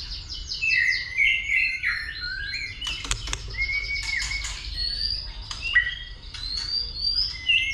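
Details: White-rumped shama in fighting song, clicking and flicking its tail: descending whistled notes, several sharp clicks, then drawn-out rising whistles, with background hiss.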